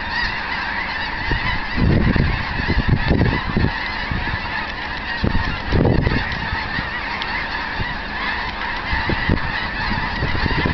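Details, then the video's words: Large flock of wild snow geese near Eagle Lake, Texas, on 7 February 2011, as most lift off from a feeding field. A dense, continuous din of overlapping honks and cackles, with louder gusts of nearby calls. "Snow Geese"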